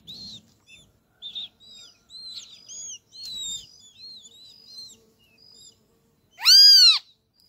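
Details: Great kiskadee family feeding at a feeder set in an acerola tree in Brazil: a series of soft high chirps and short whistled notes, then one loud, harsh, arched call with strong harmonics near the end.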